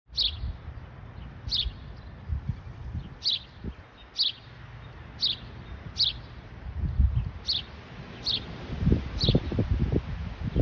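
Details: In Michigan, what may be a house sparrow gives a steady series of short, bright chirps, about one each second, over a low rumble of wind.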